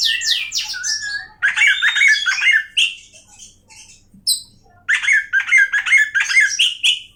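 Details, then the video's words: Oriental magpie-robin (kacer) with harsh, squawky song phrases mixed with quick whistled slurs, in two loud bursts separated by a quieter gap with a single high note. "awas Kacer nya jebol emosi dengar suara Kacer ini"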